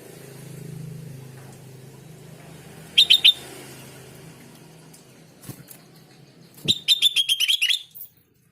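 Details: Sooty-headed bulbul playing recording meant to draw replies from other bulbuls: a short burst of three notes, a pause with a couple of clicks, then a longer rapid chattering run of about nine notes over a low hum.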